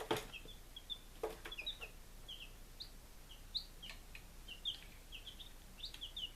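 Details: Chicks on their fifth day in Lunenburg, Massachusetts, 23 July 2017, give rapid high peeps in short runs. Loud scratching thumps come near the start, and soft clicking continues throughout.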